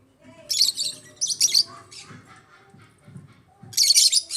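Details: Pet African lovebirds chattering in shrill, high, buzzy bursts of about half a second, three main bouts with softer tonal notes and low taps between.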